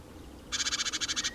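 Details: A Eurasian magpie (Pica pica) gives a harsh, dry rattling chatter of about ten rapid, even notes in under a second, beside a small pond in central France, late April 2017.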